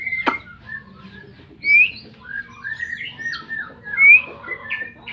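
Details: White-rumped shama from Medan giving sparse, clear whistled phrases: a sharp rising whistle, short slurred notes in between, and another loud upslurred whistle near the end, with a click at the start and a low background hum.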